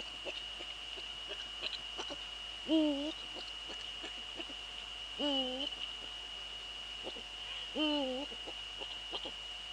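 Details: Male Eurasian eagle-owl calling in the Netherlands on 6 February 2013 at 17:30, giving three deep, slightly wavering hoots spaced about two and a half seconds apart, over a steady high-pitched electronic tone and faint clicks.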